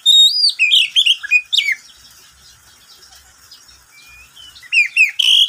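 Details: Caged oriental magpie-robin at midday delivering a fast run of sweet whistles and slurred notes, pausing about two seconds, then resuming with brighter rising phrases.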